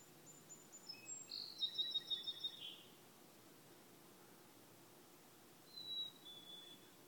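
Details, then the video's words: A black-capped chickadee, nicknamed the "Cheeseburger Bird", gives a quick run of high, thin chips and whistles, then one clear falling whistle after a pause, over a soft background hiss. "Cheeseburger Bird"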